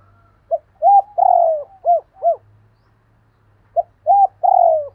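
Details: Spotted doves cooing as a pair: a phrase of short note, flat coo, long falling coo and two arched coos, a pause, then the phrase starting again; faint second bird and low hum.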